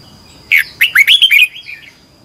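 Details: Red-whiskered bulbul singing in competition style, used to train birds: one brisk phrase of five or six loud, liquid whistled notes, swooping up and down, ending in a softer trailing warble.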